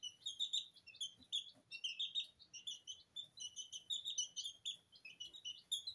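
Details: Several two-week-old Sablepoot bantam chicks, Porcelain and Lemon colours, kept in a kitchen and scratching through their feed; dense, steady shrill peeps repeated rapidly with overlapping voices throughout.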